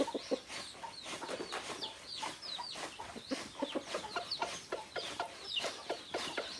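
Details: Native chickens, rooster and hens together: a steady stream of short, sharp high peeps and clicks, each dropping quickly in pitch, mixed with soft low clucks, busy and continuous for the whole stretch.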